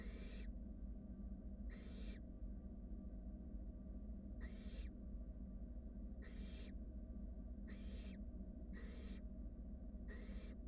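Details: Repeated harsh hissing snores from begging wild barn owl nestlings in a nest box, seven bursts at uneven spacing, as a sibling swallows a rat; constant low-pitched hum underneath.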